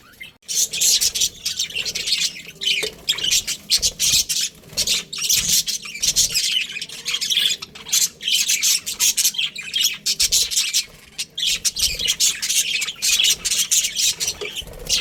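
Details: Two Australian budgerigars kept as a breeding pair produce long, unbroken scratchy warbling and chattering, with frequent sharp high squawks scattered through the busy stream.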